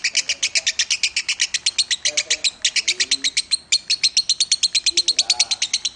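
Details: Minor-style song from a contest lovebird nominated at Piala Raja. Rapid, shrill staccato notes pour out steadily for six seconds, with a brief falter near the middle. Soft low voices or calls are audible underneath.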